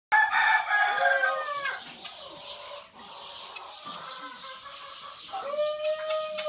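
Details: White Indian peafowl (peacock) fanning its tail at a ranch in December 2014 gives a loud, nasal, drawn-out call, then a second steady call near the end, while thin high chirps from small birds sound throughout.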